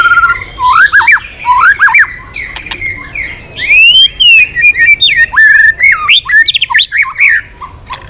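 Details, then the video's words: White-rumped shama pouring out a loud, rich song of rising and falling whistled slurs, swooping notes and sharp chips in rapid varied phrases with hardly a pause, over a quiet background. "Keganasan murai batu diam jadi rajin bunyi kembali"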